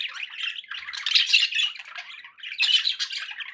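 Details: Pet budgerigars give a mix of grating warbles and short squeaky notes, loud swells about every second or two with a quieter dip between.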